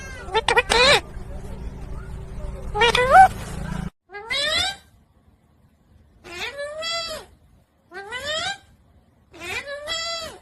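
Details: Talking pet parrot giving repeated harmonic calls that sweep downward then level off, about one every one and a half seconds after a noisy, muffled opening with low hum.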